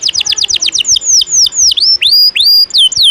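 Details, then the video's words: Canary singing 'ngejos' filler song, a tutor recording for training other songbirds: a run of fast, high descending whistled notes, then longer swooping slurs that rise and fall, with clear pauses between phrases. "Masteran burung kenari isian ngejos..pedas"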